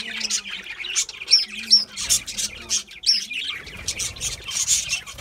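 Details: Budgerigars eating seed mix give sharp, thin chirps and short squawks in separate bursts, with a few clear high whistled notes. Low steady tones open the recording.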